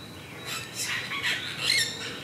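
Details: Apostlebirds (Struthidea cinerea) at their mud nest, Carnarvon Gorge, Queensland, Australia, 22 July 2019, 07:25, giving harsh, grating squawks in short overlapping bursts, several birds calling at once over a faint steady hiss.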